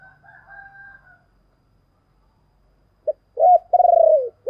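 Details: Spotted dove lure cooing meant to attract wild doves. A faint distant drawn-out call opens, then after a pause comes a short note, a rising coo, and a long throbbing coo that slurs downward.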